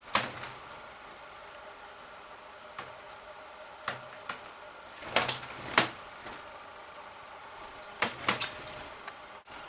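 Sharp knocks and clicks, like doors or cupboards, sound at irregular intervals in a small quiet room, with no animal voice.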